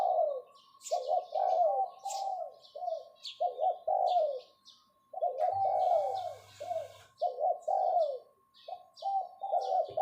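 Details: Caged decoy spotted dove calling 'phao' to lure: repeated groups of husky, downward-curving coos roughly every couple of seconds, while small birds chirp and twitter thinly in the distance.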